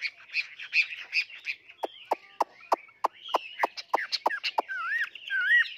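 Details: Caged, tame Chinese hwamei in varied song: a run of chirpy notes, then sharp clicking ticks repeated about every third of a second, ending in rich looping whistles.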